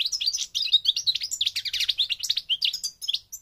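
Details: Goldfinch of the North African parva form, Morocco, pouring out continuous rapid twittering song, with jumbled high chirps, slurred whistles and buzzy notes packed closely together with hardly a pause.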